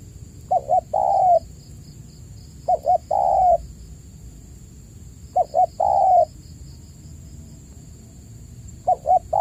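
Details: Spotted dove lure recording intended to prompt caged cooing doves that have fallen silent. Four phrases of two quick notes followed by a long mellow coo, recurring every few seconds over a faint high hum.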